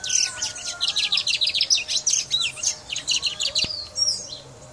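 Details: A brown mustache finch from Guyana sings a fast, unbroken run of high, sharp twittering notes, several per second, with chirps and short trills running together.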